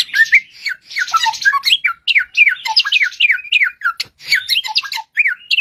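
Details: Bushlark song, a bird said to have 1001 original sounds: a dense, fast stream of varied whistled and chirping notes, many sharply rising or falling, delivered in quick bursts with brief pauses, with no other sounds.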